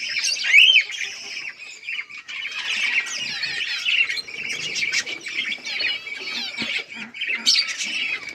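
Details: Zebra finches in a colony aviary with nests, recorded 15 October 2023: one sharp nasal call opens, followed by constant overlapping chattering calls from many birds, rising and falling in loudness.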